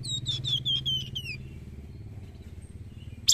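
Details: White-rumped shama singing to stimulate other birds to sing: a quick run of about eight clear, downslurred whistles repeated in steady rhythm, then silence, over a low steady engine-like hum.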